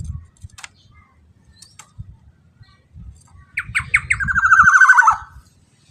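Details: Black-naped oriole used as a loud lure so other orioles answer and get excited: after faint clicks, three abrupt rising notes lead into a rasping, falling buzzy run lasting over a second, over low vehicle rumble.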